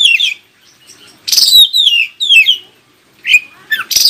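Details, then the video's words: Oriental magpie-robin singing strongly so that other magpie-robins answer: a sequence of clean whistles that slide downward, several loud rich bursts in the middle, then short rising and falling chirps near the end. "KACER ANDA LANGSUNG IKUTAN NYAUT dan NGOBRA JIKA DENGAR SUARA KACER INI"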